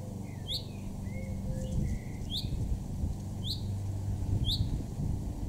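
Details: Short, sharp, high calls of a male common chaffinch, repeated at about one-second intervals, in a June 2024 garden in Weener, East Frisia, Germany; other birds whistle faintly in between, over a low hum of traffic.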